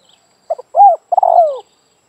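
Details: Spotted dove cooing during dove trapping, one clean phrase of a short double note followed by a longer, smoothly falling, purring coo, with no background noise.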